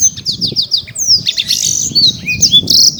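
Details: Caged champion Black-throated canary, Bekasi, Indonesia: a quick series of repeated descending chirps leads into buzzy high trills and rising whistled notes, all packed into a few seconds over faint low noise.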